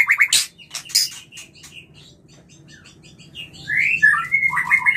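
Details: White-rumped shama mating lure: sharp chirps and clicks, a quieter stretch of soft notes, then loud rising and falling whistled phrases near the end over a low steady hum.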